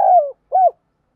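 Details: Spotted dove, 'giọng đồng' voice style, giving a calling coo for decoy training: two brief hollow notes, the first longer and sliding down, the second short and arched, then silence.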